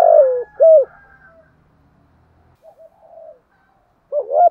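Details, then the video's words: Spotted dove decoy, 'giọng thổ' voice, calling to lure rival doves. A descending buzzy coo and one clean coo, a pause with soft murmurs, then the opening notes of another phrase. "tiếng chim cu gáy kích bổi nhanh nổi, chim cu cườm gáy giọng thổ hay tập bổi"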